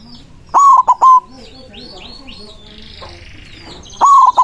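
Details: A white zebra dove sings to lure rivals in the manggung style. One stuttered cooing phrase is followed about three and a half seconds later by another, with small birds chirping and twittering in the background.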